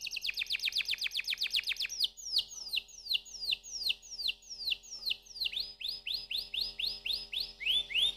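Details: Canary singing a loud series of repeated downward-sweeping whistled notes, fast at first, then slowing to about three per second, switching to a higher repeated note pattern near the end.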